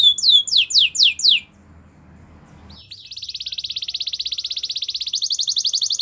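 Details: Canary song used to train other canaries: a short series of falling whistles, a quiet gap, then a long fast metallic rolling trill that rises slightly in pitch toward the end.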